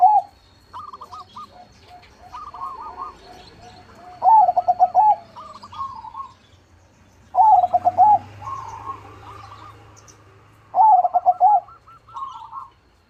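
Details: Zebra dove (perkutut, 'crossing' type) singing actively in a big voice: three loud, rhythmic phrases of quick stuttering coos ending in a drawn-out rolling note. Fainter, higher cooing phrases from other doves keep going in the background.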